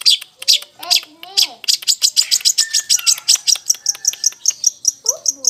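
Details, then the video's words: Blangkon-type long-tailed shrike singing vigorously, mixing in imitations of sparrows fighting and a lovebird: a fast run of sharp, high, evenly spaced chirps with a few lower rising squeaks at the beginning and end. "Cendet Blangkon || GACOR || Isian Greja Tarung sambung Love Bird"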